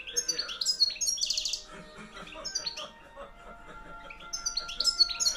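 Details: European goldfinch, a hand-reared field-type junior from 2013 kept in a cage, singing loudly; quick sparkling twitters and a buzzy trill, quieter stretch mid-clip, then renewed twittering, faint steady hum behind.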